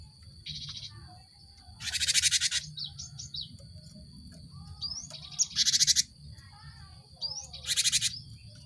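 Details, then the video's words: Cinereous tit played to stimulate caged birds to sing: a short pulsed trill, then three loud harsh buzzy chatters spaced a few seconds apart, mixed with rising whistled slurs and brief twittering notes. "Pancingan gelatik batu untuk merangsang burung ombyokan cepat bunyi"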